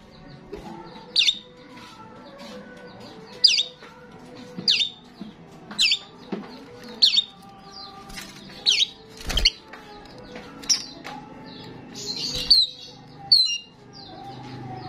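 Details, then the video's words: Starling calling persistently, played to lure starlings: a long run of loud, sharp, descending squawks repeated every second or so, mixed with softer chatter and one brief low thump. "sound of the gacor starling"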